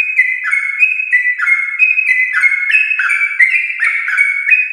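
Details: A Yellow-vented bulbul of champion stock sings a long rapid song to prompt home bulbuls: loud, clear whistles in quick descending steps, phrases chained tightly with bright upper overtones.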